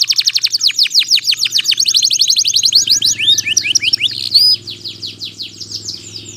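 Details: Canary singing with pauses, offered as a lure for lazy or silent canaries and as a master song for young birds: rapid down-slurred whistled notes, then a fluttering trill and quick slurred phrases, fading at the end.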